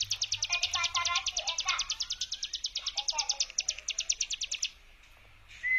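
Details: Hill prinia brem lure song: a fast rattling series of high buzzy notes lasting about four and a half seconds, then quiet and a short whistle. Lower chirps from other birds are mixed in.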